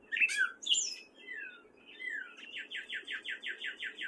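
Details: A male gray catbird singing in spring in Fairfield, Iowa: squeaky, varied phrases at first, then a fast run of about a dozen identical slurred notes, steadily repeated.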